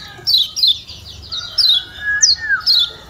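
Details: Short high down-slurred chirps from a Lombok kecial kuning, spaced irregularly, alongside a lower drawn-out whistle; intended to stimulate a silent white-eye to sing.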